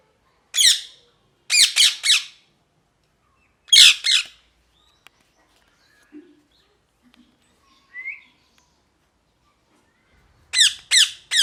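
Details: Parrot squawking in scattered bursts: single and paired harsh screeches, a quiet middle with faint murmurs and a short chirp, then a final run of three raspy calls.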